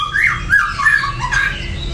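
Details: Ashy drongo uttering harsh, scratchy squawking notes in mid pitch, four short bursts in quick succession, with low background rumble.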